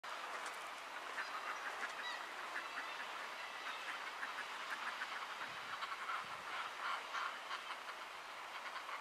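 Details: Dense chorus of a common murre (Uria aalge) colony at Látrabjarg, Iceland, June 2019: harsh, growling, rolling calls from many birds overlapping without pause into a continuous roar.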